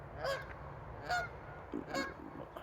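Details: Outdoors at dusk, several geese give repeated short, nasal honks, about four calls in under three seconds, some overlapping softer lower honks, against a low steady background hum.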